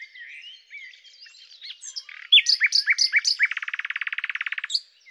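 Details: A common nightingale (Luscinia megarhynchos) sings a varied phrase: soft warbling, a few loud separate whistled notes, then a fast, rich rattling trill of about twenty notes.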